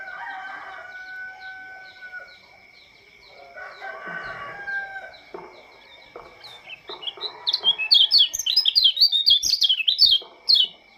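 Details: Oriental white-eye of Lombok in the morning: roosters crow in the first half, then the bird breaks into a rapid, high, jumbled twittering warble for the last few seconds.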